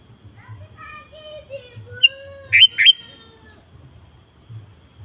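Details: Actively singing sooty-headed bulbul meant to draw wild bulbuls into singing. Faint, lower sliding whistles lead into one bright phrase: a thin high note, then two fast up-and-down slurred notes.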